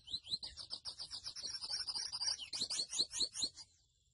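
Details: A Grey seedeater (Sporophila intermedia) sings a fast, high, twittering warble of rapid buzzy and whistled notes, rising into sharper trills toward the end before stopping.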